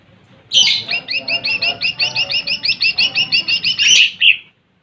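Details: Lesser green leafbird delivering a sustained fast song to provoke rival birds: about twenty evenly spaced, high, two-toned chirps over four seconds, opening and ending with louder harsh notes.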